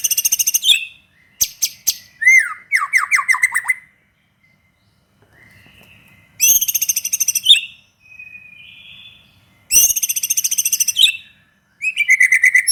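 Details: Vigorous song of a white-rumped shama, used as a lure to provoke other shamas to sing: bursts of rapid rattling buzzy trills alternate with fast slurred whistled phrases and soft drawn-out notes, separated by short pauses.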